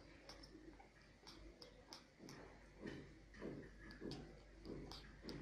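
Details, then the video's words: Grey parrot (Psittacus erithacus, African grey) talking: speech-like mimicry of short, raspy, grunting syllables about every half second, muffled as if indoors. "African Grey Parrot, Talking Parrot"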